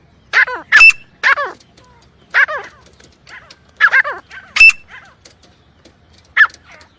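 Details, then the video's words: Grey francolin calling in a quick series of loud, harsh notes, some with descending harmonic tails, mixed with sharp clicks and a faint low background hum. "teetar sound effect"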